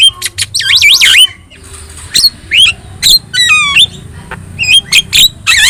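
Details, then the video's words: Talkative yellow-eyed Javan myna: looping warbled whistles, squawks and clicks, then a rippling stepped trill and sharp chips. "JALAK KEBO GACOR MATA KUNING"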